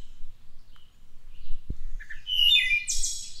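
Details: Wood thrush singing near Cincinnati, Ohio: after a quiet start with a low thump, one phrase of low introductory notes rises into flutey mid-pitched tones and ends in a high, shimmering trill.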